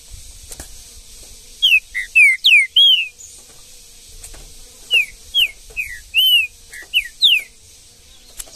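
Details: Green-winged saltator in the woods singing two phrases of rich, slurred whistles, each of five or six notes, separated by a pause of nearly two seconds.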